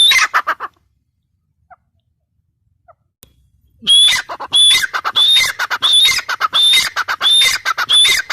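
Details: After a few harsh notes and a near-silent gap, a female grey francolin launches into loud repeated phrases of rasping notes topped by rising whistles, about one every 0.7 seconds.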